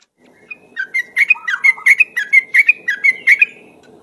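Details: A yellow-vented bulbul gives a long, lively ropel lure song: a steady series of loud, bubbly whistled notes, roughly three per second, each a quick up-and-down flourish, with faint background hum.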